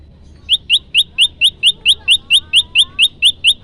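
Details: Olive-backed tailorbird song used as a lure for trapping: sharp, upward-flicking chirps repeated steadily about four times per second, roughly fourteen identical notes in an unbroken series over quiet background hiss.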